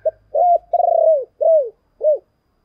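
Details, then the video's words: Spotted dove giving a 'chìm' style cooing lure call, meant to draw in other doves: a short opening note, a long rolling purred coo, then two descending coos, clear and close in a quiet room. "tiếng chìm cu gáy"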